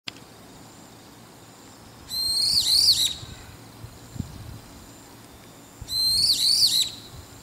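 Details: In the evening, a Brown-eared Bulbul on a rooftop gives two loud, shrill, wavering screeches, like shouting, each about a second long and roughly four seconds apart, over a faint low hum.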